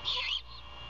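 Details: Great horned owl at a Savannah nest camera in an abandoned Bald Eagle nest, mother feeding her owlet early in the morning, 21 February 2022; a single short, hoarse, hissing screech lasting about a third of a second over a steady low hum.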